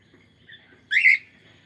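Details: Cockatiel calling: a single loud, harsh, slightly rising screech of about a third of a second over a quiet background.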